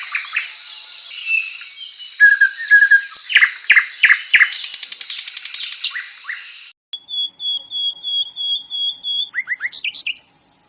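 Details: Flycatcher known as sikatan londo giving a varied song. It starts with whistled notes, moves to loud fast chirp series, then a long run of evenly spaced metallic notes on one steady pitch, and closes with a few rising chirps.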